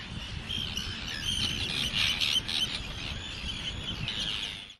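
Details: Arctic terns screeching at their breeding colony by the Eider barrage, close to tourists, 2013: a dense chorus of shrill, scratchy, rapidly repeated calls from many birds, over steady low wind noise.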